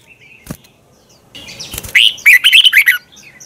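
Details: Red-whiskered bulbul morning lure song with a twisting voice, used to push other bulbuls to sing hard. A click and a burst of rustling noise come first, then one quick phrase of bright, rolling chirps.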